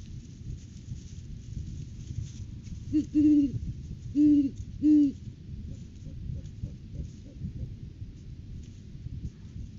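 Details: Great horned owls at their nest tree during courting season on January 9, 2023, filmed by a live cam as the male brings a rodent food gift to the female; three loud, deep hoots about a second apart, then softer hoots.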